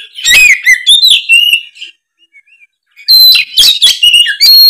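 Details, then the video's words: Oriental magpie-robin in full loud song meant to draw a response: a burst of sharp whistled and buzzy notes, a near-silent gap of about a second, then another dense phrase of rising whistles and rasping notes. "suara kacer gacor ngeplong"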